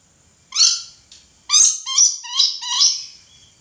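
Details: A lively red lory lets out one loud rasping screech, then, after a short pause, four quick harsh calls in rapid succession, each broad and grating.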